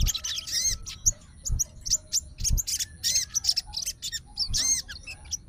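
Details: Fighter sooty-headed bulbul calling to a rival after hearing another bulbul. Bright, slurred whistles and brief chattering notes come in uneven clusters roughly every half second, with soft bumps below.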